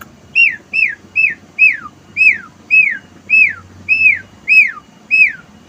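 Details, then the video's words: Asian pied starling near a house terrace, singing with material from wild birds: a loud, clear whistled note falling in pitch, repeated steadily about every half second, ten times in a row. "Jalak suren penunggu teras rumah !!berkicau dengan materi burung liar"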